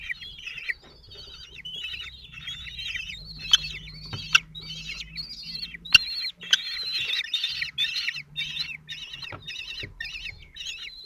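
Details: Common kestrel chicks, four of them at 17 days old, fed by the male at a nest in Théding on 27 June 2023. Many quick, wavering high calls are heard, broken by sharp clicks and knocks.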